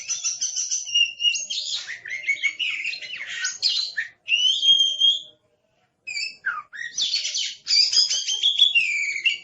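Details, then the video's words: Caged Oriental magpie-robin, described as aggressive, pouring out a long, varied song of rapid whistles, chatters and buzzy notes, with one silent gap of about a second midway before resuming vigorously. "Suara Master Burung Kacer Galak"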